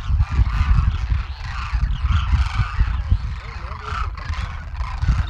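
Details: Large wintering Demoiselle crane flock, about 12,000 birds, in Rajasthan agricultural land near villages, India; many cranes give overlapping grating honks in uneven waves, a few clearer rolling calls standing out, steady low rumble beneath.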